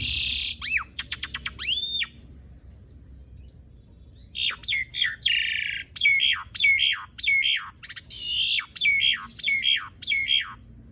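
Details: Asian pied starling in full song, used as a lure for silent starlings: a rattle and rising whistled loops, a short quiet gap, then harsh squawks and descending whistles repeated about every half second.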